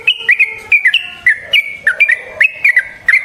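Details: Sooty-headed bulbul's lure song used to provoke wild bulbuls into answering: bright whistled notes flicking up and down in quick pairs and triplets, steady and continuous.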